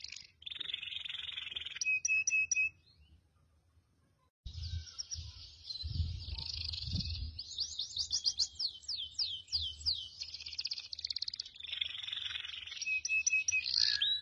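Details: Male goldfinch-canary hybrid singing in bouts: a rolling trill and metallic repeated notes, a short pause, then twittering warbles and a rapid series of sweeping chirps, with faint low background thumps.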